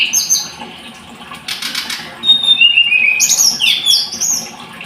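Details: Scarlet-headed flowerpecker singing: thin, high whistled notes and short descending slurs, with a burst of buzzy broadband chatter midway and bright sweeping phrases near the end.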